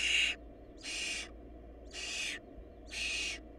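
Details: Hungry barn owl nestlings at a nest short of food. Four harsh, breathy screeching hisses, each about half a second, come in an even series about once a second, with a soft steady hum behind.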